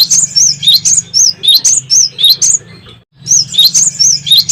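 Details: Great tit singing vigorously, used as a lure to prompt other songbirds to sing. High, sharp chirped notes come in rapid arched bursts of about four per second, with a brief pause midway and a steady low hum underneath.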